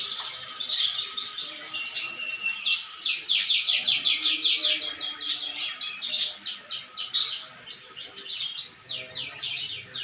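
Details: Eager canary song with rolling trills and chattering phrases in changing patterns, some notes buzzy and some clear, broken by several sharp clicks.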